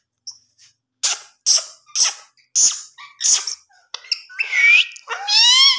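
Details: Pet rose-ringed parakeet imitating human speech: a run of short raspy, hissing bursts roughly every half second, then a few rising, harmonic squawk-like syllables at the end.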